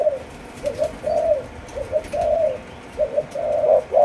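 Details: Spotted dove, Malaysian line, four months old, cooing in the chiêu gù chạy style: short double notes followed by longer mellow coos, repeated in three phrases against a faint noisy background.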